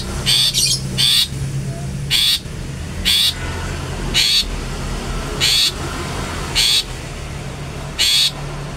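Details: "Toet toet" calls of a long-tailed shrike, played to stir up rival shrikes: eight short rasping notes spaced roughly a second apart, with a constant low droning hum underneath.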